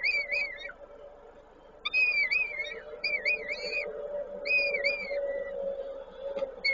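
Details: Peregrine falcons feeding at a Koszalin nest, 19 May 2022; repeated bursts of wavering, bouncing whistles, each about a second long, separated by short gaps over a low steady hum.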